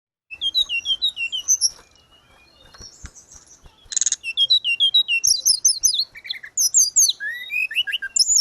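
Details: Grey-cheeked bulbul (tledekan gunung) in vigorous, gacor singing, used as training audio for caged birds: rapid high chirped phrases and bright slurred whistles, a short buzzy burst near the middle, then dense tumbling notes to the end.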